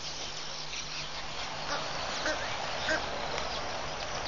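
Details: A swarm of hundreds, perhaps thousands, of red-billed queleas above the water at Pete's Pond, Mashatu Game Reserve, Botswana, on 31 October 2015 makes a steady hissing roar of countless overlapping chirps, with a few clearer high notes briefly standing out.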